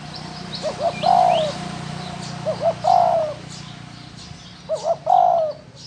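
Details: Three cooing phrases from a spotted dove of the field sort, each opening with two or three quick soft notes and ending in a long, loud downslurred coo, roughly every two seconds; faint high chirps of other birds behind.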